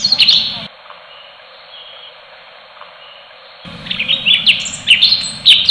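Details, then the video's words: Orange-bellied leafbird (cucak cungkok) in full tembakan song: a brief burst of high chatter, a long silent gap, then a lively resumption of quick, piercing whistles and chirps. "Birds Song Cucak Cungkok FULL TEMBAKAN"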